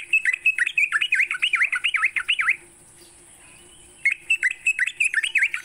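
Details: Sooty-headed bulbul singing in the morning, a recording meant to spur caged bulbuls to sing. A lively two-second string of quick rising-and-falling warbled notes, a pause, then another burst, with a thin steady tone behind.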